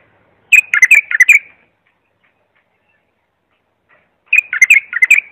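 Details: Bulbul song played for tutoring young bulbuls: two bursts of bright, warbled, chirpy notes, each lasting about a second, separated by nearly three seconds of silence.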